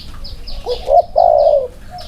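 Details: Spotted dove delivering an 'inner-circle' style coo during a comparison of two birds: a soft pair of rising notes, then a sustained, slightly wavering coo, with faint high chirps from other birds behind.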